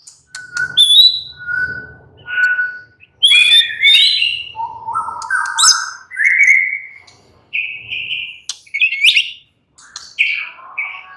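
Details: White-rumped shama, or murai batu, in easygoing song, alternating steady mid-pitched whistles with chattering bursts and rising stepped phrases, pausing between sections.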